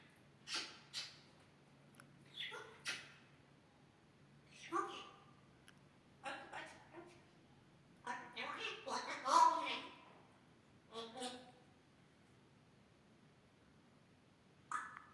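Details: Grey parrot talking and coughing like a human: short bursts of speech-like syllables and harsh cough-like sounds scattered across the recording, separated by quiet pauses, with a steady low hum beneath.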